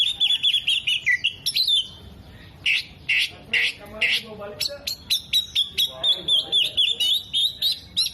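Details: Oriental magpie-robin with tail opened, mimicking hummingbird, bearded bird and lovebird: wavering high whistles, then harsh, rasping squawky notes, followed by a fast series of sharp, ringing chips repeated roughly twice a second.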